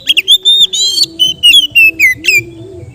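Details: Relaxed ngeplong song from a kept Oriental magpie-robin, offered as therapy for untrained birds. It runs as a continuous chain of rich, bright whistled phrases, some steady, some sliding down, with a soft lower tone beneath.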